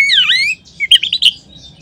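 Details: Oriental magpie-robin lure song for stimulating other birds to sing: a bright, downward-curving whistled note followed by a short burst of clipped, sharp chirps.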